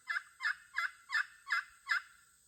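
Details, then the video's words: Local hens calling back and forth: six harsh, raspy clucks evenly spaced about every 0.35 seconds, steady in loudness, over a constant thin high-pitched hiss. "having an unexpected conversation with the local hens"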